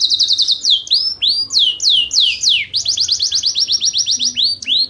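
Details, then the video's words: Yorkshire canary giving persistent song meant for training competition birds: a fast rattled trill, then sweeping, descending whistles, then another long run of rapid, evenly spaced high notes. "Yorkshire Gacor Panjang"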